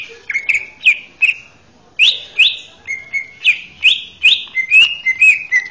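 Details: Male greater green leafbird singing to train young birds, a series of clear, rising whistled phrases repeated roughly every half second, with a few sharp chirps between them.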